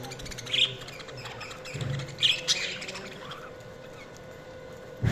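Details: Budgerigars chirping: a few short, high chirps spaced a second or two apart, with brief soft squeaks between them and a low rumble underneath.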